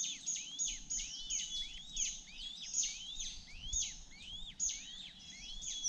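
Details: Hungry youngest honey buzzard chick, which missed out on the bee pupae, begging with thin, rising whistled notes repeated two to three times a second, overlapping one another, over a steady high whine and faint low rumble.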